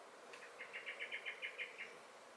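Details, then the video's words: Common blackbird in a garden in May 2021 giving its alarm: a fast, regular series of around ten clipped chack notes, strongest in the middle, against soft constant background noise. "Song and Alarm Calls of the Blackbird"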